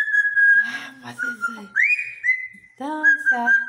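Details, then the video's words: Pet parrot vocalizing indoors: clear whistled notes, a long rising then level whistle, and short raspy speech-like sounds, with a person speaking briefly near the end. "papagaio inteligente dano risada"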